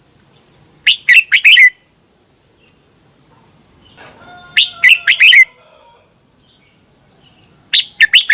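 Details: Red-whiskered bulbul kept in a cage in Thailand, singing for tutoring or exciting other birds: three cheerful phrases of about five fast rising-and-falling whistles, about every three seconds, with soft chirps between.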